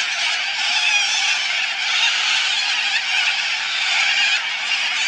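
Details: At Biloela, a flock of little corellas keeps up a steady roar of grating, raucous screeches, overlapping without pause.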